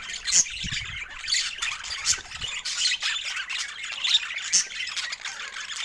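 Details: Joyful budgerigars at fresh food in natural Scandinavian light: steady squeaky chatter punctuated by loud, piercing chirps roughly every second, plus a few soft knocks early on.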